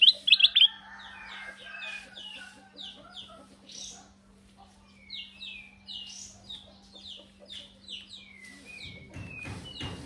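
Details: Sooty-headed bulbul from Indonesia used as a lure: a loud burst of bright chattering notes opens, followed by quieter slurred whistles, each dropping in pitch, repeated at irregular intervals over a faint steady hum.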